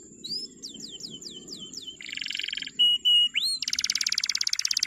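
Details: Male canary used to train young canaries to sing. A varied phrase: a run of sweeping downslurred notes, then a buzzy rattle, two short flat whistles, a rising slur and a rapid trill.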